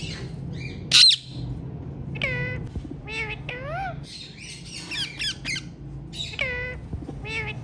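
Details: A hand-tame pet rose-ringed (ringneck) parakeet gives harsh, nasal squawks and rising-falling screeches in quick bursts, over a steady low indoor hum.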